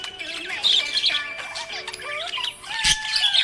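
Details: Happy pet budgie chirping: quick, bright twittering notes and short squawky chirps, with steady musical tones running underneath throughout.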